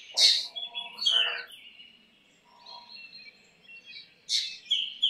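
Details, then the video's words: Black drongo song: two loud harsh rasping notes with whistles, a quiet stretch with faint notes, then another rasp and whistle at the end; faint low background noise. "Black drongo Singing Song ! Black drongo Call ! Black drongo Sounds ! Black drongo Vocals"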